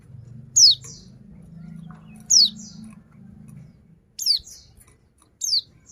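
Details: Female white-eye calling to stir lazy males into singing: four sharp, very high notes, each sweeping steeply downward with a fainter echoing note after it, spaced about two seconds apart, over a low hum in the first half.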